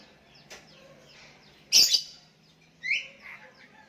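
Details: Sooty-headed bulbul calling to a rival decoy bird as others answer: a sharp harsh burst followed a second later by a bright rising chirp, then quiet.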